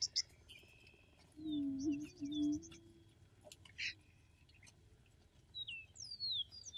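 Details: Attwater's prairie-chicken, an endangered Texas coastal prairie grouse, booming: a low hooting moan swelling for about a second and a half, among high whistles and trills of other birds.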